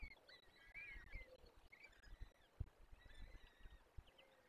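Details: Young peregrine falcons at a forest nest in Poland's Barycz Valley during feeding, 17 April 2024: drawn-out, wavering whining calls, several overlapping, masked by low rustling and thumping noise.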